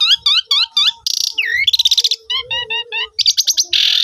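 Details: Asian pied starling song for coaxing quiet starlings to sing, recorded by phone: four evenly spaced curling chirps, a harsh buzz, a falling whistle, a fast rattle, stepped chirps and a closing hiss-like burst.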